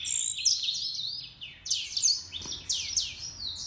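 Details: Grey singing finch and canary hybrid singing: a quick run of high, bright chirps and sweeping notes, some falling in pitch, delivered in short bursts with brief pauses between them.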